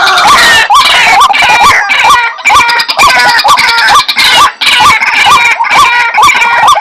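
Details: White-breasted waterhen calls used as a bird-attracting lure: loud, harsh, nasal notes, each with a short hooked upward inflection, repeated about twice per second in a dense, overlapping, continuous series without pause.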